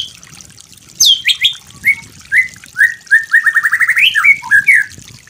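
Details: White-rumped shama master song for training, opening with a high falling whistle, then a string of quick rising notes and short chirps.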